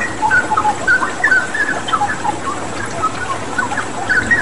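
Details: Cucak rawa (straw-headed bulbul) song meant to prompt pet birds to sing: brisk clipped whistled notes, many at a similar pitch, in a quick patter over steady flowing water noise.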